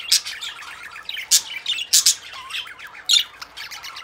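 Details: Captive budgerigars, a male and a female, in a breeding cage, the female in the nest box. They chatter in bright, scratchy chirps and squawks during courtship and mating.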